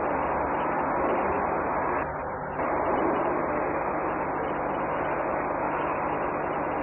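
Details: Continuous loud rumbling roar like vehicle or engine noise throughout, with a brief dip near two seconds and no animal voices.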